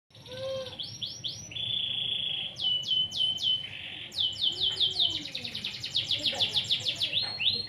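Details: Canary in full, vigorous song: fast repeated downward-sweeping notes in short series, then a long steady high trill, then rapid rolling trills and chirps that grow denser toward the end, all high-pitched and bright over faint background hiss.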